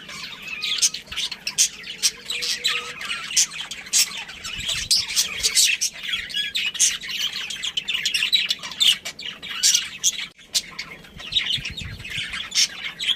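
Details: A breeding pair of budgerigars and their family chattering: a long run of high twittering and scratchy chirps, busy and unbroken, with a few faint low thumps underneath.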